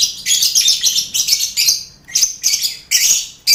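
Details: Lovebirds in a lively colony cage with finches and quail, kept for competitions. Sharp, buzzy chirps are rapidly repeated in a fast, pulsing series, then come as separate bursts after a short pause.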